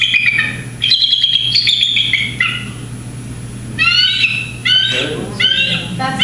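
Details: Bald eagle giving thin, high piping chitters in quick bursts of stacked notes with pauses between, over a steady low electrical hum; described as an alarm call given when humans approach the nesting territory.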